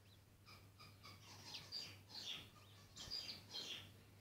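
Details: Bourke's parrot mother feeding her chick: repeated short high chirps roughly every half second, then louder squeaky, wavering calls in bursts near the end, over a constant low electrical hum.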